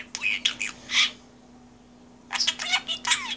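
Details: A parrot talking in an office gives two bursts of harsh, speech-like chatter with slurred rising and falling notes, a second of quiet between them, over a low steady electrical hum.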